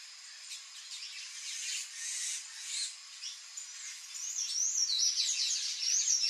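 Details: Palm tanager, also called sanhaço-do-coqueiro, singing a high, squeaky, jumbled twitter of quick slurred notes. It starts faint and grows louder and denser toward the end, with a few rising and falling whistled phrases.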